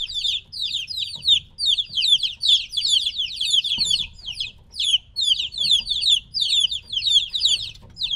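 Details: Group of chicks about three weeks old, separated from the mother hen, giving shrill falling peeps in crowded runs, nearly nonstop, with a short lull near the middle and low hum beneath.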